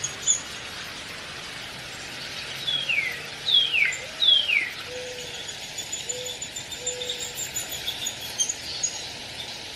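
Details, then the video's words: Downy woodpecker uttering three high, falling slurred calls, while a soft low hum and faint lower tones run underneath and scattered light clicks follow. "SOUND OF A DOWNY WOODPECKER"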